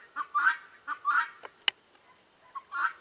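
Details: Guineafowl heard in the background giving a few rough, nasal, two-part calls in an uneven rhythm, interrupted by a sharp knock or click near the middle.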